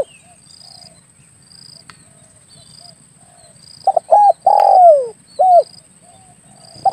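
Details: Spotted dove lure call for hunting, local name tekukur: quiet opening with soft distant coos, then one loud phrase of stuttered notes, a long falling coo and a short end coo, with faint repeated high insect-like buzzes throughout.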